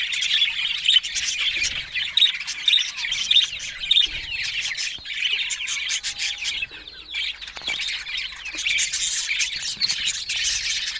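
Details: Budgies, Australian parrots, giving rapid high chirps and twittering, about a hundred short notes a minute at uneven spacing, quieter and thinner than a full chorus.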